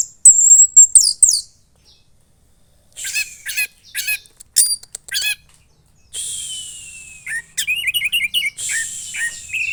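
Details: Young caged red-headed thrush (orange-headed thrush) from Klaten, Central Java, Indonesia, in loud steady song; bursts of high twittering, a long descending whistle near the middle, then a fast run of repeated looping notes.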